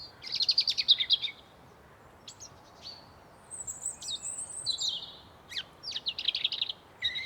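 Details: Forest birds chirping: a fast run of bright repeated chirps in the first second, then thin high whistles, a short slurred note and buzzy trilled phrases from several birds over a soft steady background hiss.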